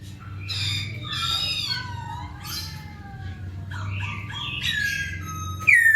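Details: Song of the masked laughingthrush, played to get reluctant birds singing; mixed squawky and whistled phrases, some sliding down, ending in a sudden loud bright whistle, with a noticeable low hum throughout.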